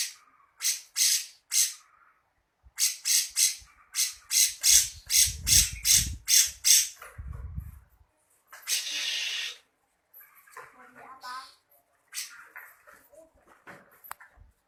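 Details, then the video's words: Grey-cheeked bulbul in full besetan chattering style: a fast, even run of about a dozen raspy, scratchy bursts, then a longer harsh rattle and softer scattered notes, with dull knocks underneath. "Burung Cucak Jenggot Full Besetan"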